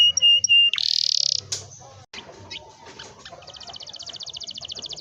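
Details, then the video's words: Canary song played to prompt young canaries to sing; whistled notes and a buzzy burst, a quiet cluttered pause, then a fast even high trill building in loudness. "kenari gacor ngerol panjang ini 100% ampuh buat PANCINGAN KENARI paud belajar bunyi/malas bunyi"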